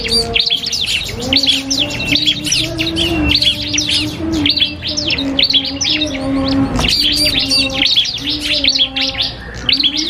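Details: Duel of a common iora, known as cipoh kristal, with a prinia: dense overlapping chirps and whistled slurs, one louder burst near the middle, over a low humming background.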